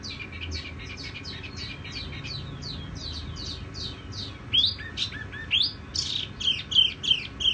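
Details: Tiểu mi songbird singing softly: a fast series of short, high, down-slurred chirps. Louder, sharper, varied whistled notes take over in the second half, over a faint low background hum.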